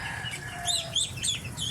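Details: Muscovy duck (Cairina moschata) ducklings from a batch of 32 give a busy chorus of thin, high peeps, several overlapping every fraction of a second, over a low background hum.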